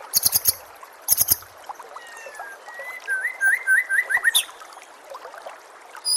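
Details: White-rumped shama tutor song meant for training caged birds, with natural ambience and gurgling water: a few sharp clicks open, followed by a rapid series of wavering whistled notes that repeat in a rolling pattern.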